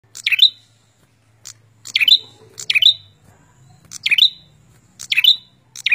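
A prinia repeats sharp, high chirping phrases about once every second, each a quick falling-then-rising burst, over a faint low hum.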